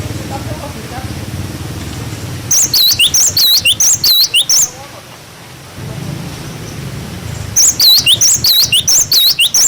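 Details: Tutor song of a cinereous tit for young birds: two spells of fast, high, dipping whistles repeated in tight runs, with a short pause between them over a soft low background rumble.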